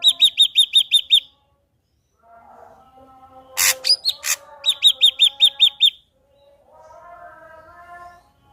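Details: Singing ashy drongo meant to provoke another drongo: a run of quick high repeated whistles, harsh rasps, a second whistle run, then faint warbling lower tones.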